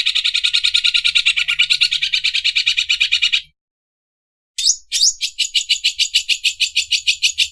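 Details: Greater green leafbird mimicking an overlock sewing machine: rapid high buzzy pulsing for over three seconds, a silent pause, then rising swept notes and renewed fast pulsed rattling.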